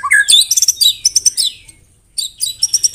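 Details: White-rumped shama (murai batu) in full song loaded with canary and cililin phrases: a rising whistle, then dense high chirps and rapid trills, a pause near two seconds, and another burst of sharp ticking notes.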